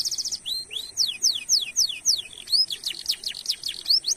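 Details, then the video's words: Canary in full song as a lure for other canaries: a brief high trill opens a long run of clear, steeply falling whistled 'cuit' notes, repeated briskly and evenly. "Masteran Suara Burung Kenari Gacor Nembak Suara Unik/Pancingan Ampuh Kenari cuit cuit Ngerol Panjang"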